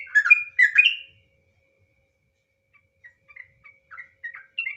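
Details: Sooty-headed bulbul (trucukan) ropel song for luring birds to sing: one rich second of jumbled whistled and slurred notes, a pause, then a string of soft, short chirping whistles growing louder.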